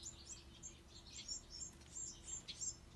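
Bewick's wren fledglings give thin, very high chirps, several overlapping and repeated roughly three times a second, over a low steady hum.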